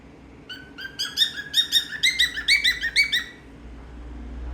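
A cockatiel gives a quick series of bright, harmonic chirps, each note slightly rising, over a low hum.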